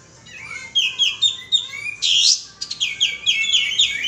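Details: Bulbul (kapas tembak) luring call: rapid bouncing high chirps in tight clusters, one loud breathy burst midway, then a dense tumbling run of quick notes.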